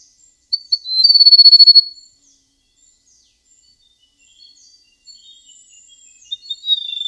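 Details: Golden prinia described as singing in a melodious, flute-like way: two sharp introductory notes, then a fast high pulsed trill of about a second, followed by scattered faint high chirps and a closing high phrase.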